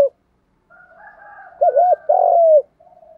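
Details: Spotted dove, with cock and hen birds mentioned, cooing to stimulate other doves to coo: a faint low murmur, then a pair of quick wavering notes and one longer, steady, slightly falling coo, all deep and mellow.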